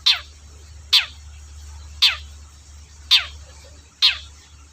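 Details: Long-tailed shrike lure for shrikes that seldom sing: five short, falling, scratchy calls about a second apart over a steady low hum.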